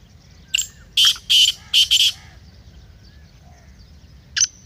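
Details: Black francolin call, used to rouse a kept francolin into calling: one loud phrase of about five harsh, grating notes in quick succession, then a single short note several seconds later, over quiet low background hiss.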